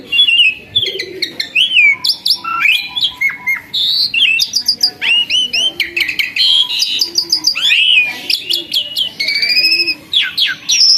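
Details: Asian pied starling, a formerly skittish bird turned tame and now a keen singer, delivers a long, fast string of varied whistles, rising and falling slurs, trills and short chirps, repeated with short gaps.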